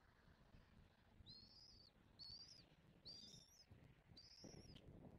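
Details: Bald eagle pair feeding their chick at a Southwest Florida nest, recorded by nest camera on 06/01/2024. Four drawn-out high whistles with a slight upward arch, each lasting about half a second, sound over faint low outdoor noise.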